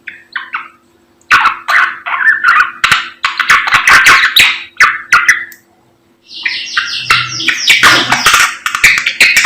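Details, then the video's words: Samyong bird's morning song: bursts of harsh, chattering and warbled notes in quick clusters, with silent breaks, then a louder, buzzier rush of phrases and a faint low hum beneath. "SAMNYONG GACOR Menggemaskan DI PAGI HARI"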